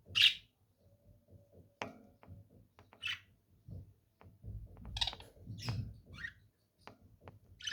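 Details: Lovebirds giving sharp, shrill high chirps at irregular intervals, about six short bursts with gaps of one to two seconds, over low indoor rumble, faint clicks and handling knocks.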